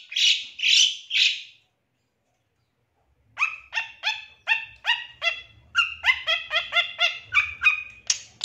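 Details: Long-tailed shrike champion song used as a lure to spur shrikes into singing and agitation; three rough bursts, a pause, then a fast series of harmonic, falling chirps repeated about twice a second.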